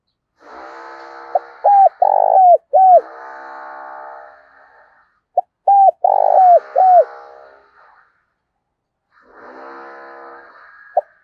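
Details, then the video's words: Decoy spotted dove cooing in two phrases about four seconds apart, each a short opening note followed by several hooked, rolling coos, over a steady buzzy harmonic hum that fills the pauses. "Chim Cu Mồi, cu gay kich boi nhanh noi gù"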